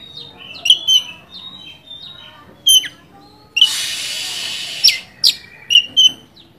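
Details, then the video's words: Oriental magpie-robin song meant to provoke a rival bird: sparse sharp whistled chips and short trills separated by pauses, with a burst of broadband hiss midway. "100 persen ampuh untuk pancingan burung Kacer gacor ini bisa mendobrak emosi Kacer anda degan cepat"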